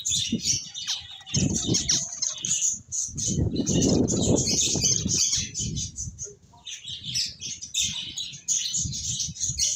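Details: A steady stream of high, twittering finch chirps runs through most of the stretch, broken by a short lull, over fluttering and rustling noise.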